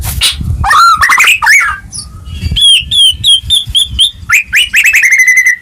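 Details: White-rumped shama song meant to trigger singing in a quiet caged bird; varied swooping whistles, then a steady run of repeated clear notes and a fast chattering trill.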